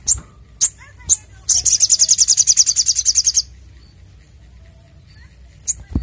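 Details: Crimson Sunbird lure and training song: a few sharp high chips, then a fast, clear, very high trill of evenly spaced notes lasting about two seconds, followed by more isolated chips.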